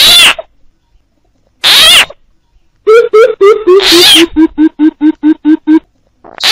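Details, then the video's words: Coucal calls played as a trapping lure together with frog calls: after harsh broadband bursts, a run of low, hollow notes repeats about three times a second, broken by another loud rasping burst. "TIẾNG BÌM BỊP KÈM TIẾNG NHÁI KÊU DÙNG ĐỂ BẪY THÒNG - CHIM BÌM BỊP MỒI"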